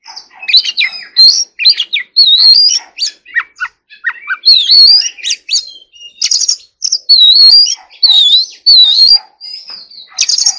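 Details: Loud, nonstop forest-voice song of an Oriental magpie-robin being trained: wavering, rising whistles mixed with sharp chips, rattling trills and fast twitters throughout.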